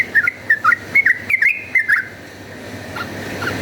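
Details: A yellow-vented bulbul in lively fighting song, used as a lure, gives eight quick liquid notes dipping and rising, then stops, leaving faint background noise.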